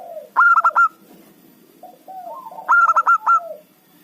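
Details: Local zebra dove, an active singer used as a lure for trapping rival birds, gives two loud bursts of three to four clipped, hollow coos, each burst trailed by softer, falling notes. Faint background hiss.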